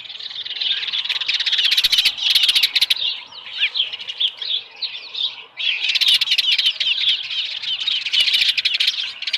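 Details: Osprey with a small live fish at its nest, 13 July 2018, about 7:10 AM; dense bursts of shrill high chirps overlaid by loud rustling or wing-flapping noise, separated by softer whistled notes.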